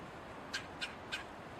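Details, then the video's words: While eating seeds, a red-bellied woodpecker utters a set of three evenly spaced, raspy, harsh notes, each brief and clipped, with steady noise underneath. "Red-bellied woodpecker call loud sound, and eating seeds"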